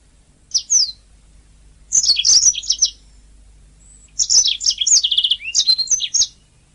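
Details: Champion-training canary master song: two quick high chirps, a busy burst of bright notes, a pause, then a longer rapid warbling phrase with a brief low rolled trill in the middle.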